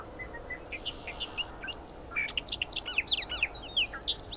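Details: Bobolink giving its song: a bubbling, tumbling jumble of quick metallic notes jumping between high and low pitches, opening with a few soft short whistles before the tinkling burst gathers pace.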